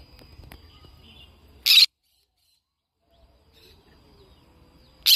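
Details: Two loud, scratchy screeches from a yellow-sided conure about three and a half seconds apart, the second cut short at the end, with quiet low hum between.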